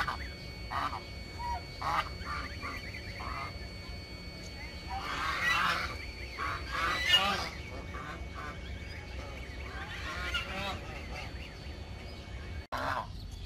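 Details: Backyard domestic geese honk repeatedly, a run of short nasal calls that swells into a louder, harsher cluster midway, then settles into scattered honks, with a constant low hum underneath.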